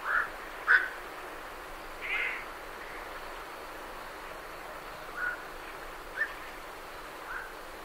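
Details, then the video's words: Night herons leaving a roost give scattered single croaks, sometimes two close together, separated by quiet gaps over a steady low background hiss. "Night Heron Calls / Night Heron. Calls MCU From Birds Leaving Roost"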